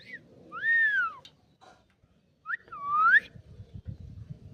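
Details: A talking Indian ringneck parakeet gives two clear, whistle-like phrases about two seconds apart, the first arching, the second sweeping upward, over a faint low indoor rumble.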